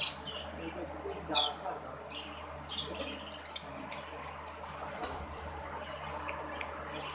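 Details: A breeding pair of red-bellied green-cheeked conures kept as pets gives sharp, high chirps and harsh squawks in scattered bursts. A loud call opens the stretch, and a quick chattering run comes near the middle. Faint voices and a steady low hum sit underneath.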